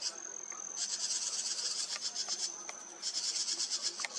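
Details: July 2023: house wrens scolding from a tree at a nearby red fox that ignores them. Rapid scratchy pulsed chatter comes in runs over a steady, thin, high-pitched hum. Faint lower clicks are also heard.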